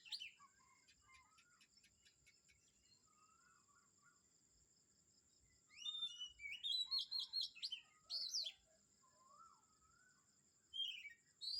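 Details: Birds singing in the morning at Kamphaeng Saen. Quick high chirps open the passage, then a loud cluster of rapid sharp notes and downslurred whistles follows mid-way. A constant thin hum runs in the background.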